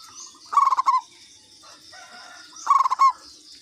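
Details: Zebra dove of the local katuranggan kind giving its lure call, two crisp runs of quick pulsed coos about two seconds apart, with soft distant bird notes between and a high continuous buzz behind.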